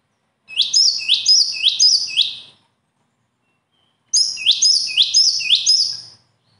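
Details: Two matching bursts of bird song, about two seconds each and roughly two seconds apart, every burst a rapid string of four or five shrill, upswept notes.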